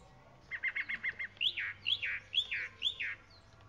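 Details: A chalk-browed mockingbird sings a quick stutter of six clipped notes, then four loud, repeated downward-swooping whistles about every half second.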